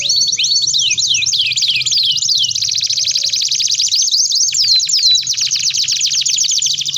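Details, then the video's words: Canary singing at length for a training master, opening with a series of descending whistled sweeps, then a long buzzy high trill of tightly repeated notes. "TERAPI❗Pancingan KENARI Gacor Panjang || Suara MASTERAN KENARI"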